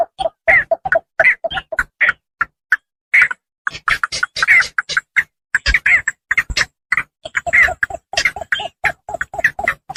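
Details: Javan pond heron lure recording used for bird hunting: rapid, dense streams of harsh squawks and low croaking notes, chattering irregularly throughout with only a short lull.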